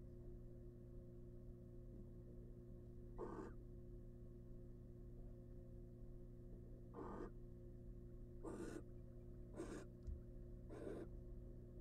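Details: A wild barn owl female sits on her eggs inside a research nest box and lets out five scratchy hissing bursts, the first two widely spaced, the last three close together, against a faint steady hum.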